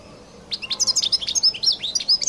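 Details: European goldfinch of Collo delivering a fast, tinkling run of high chirps and upward-swept whistles, notes tumbling in quick succession for nearly two seconds against a quiet background.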